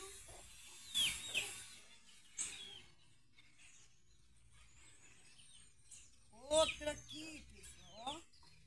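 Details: Maritaca parrots raiding pequi fruit at a rural smallholding give harsh, grating screeches in short bursts, clustered near the start and again loudly toward the end, while a man talks as the fruits are bagged.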